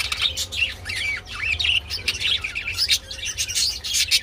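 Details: Budgerigars while mating warble continuously, with squeaky bending whistles, twitters and quick chirps tumbling together in a lively, chattering stream over a faint low hum.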